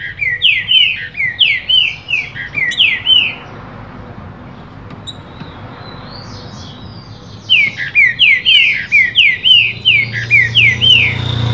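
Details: Rufous-bellied thrush in captivity, singing in reply to another bird present: two bouts of rapid, repeated slurred whistles with falling inflections, separated by a pause of about four seconds with only faint background hum.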